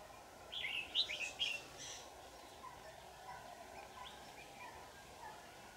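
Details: Red-whiskered bulbul used in trapping, in full display form, 4 January 2018; one rich, rapid, bubbly warbled phrase in the first two seconds, then only a steady hum and faint background noise.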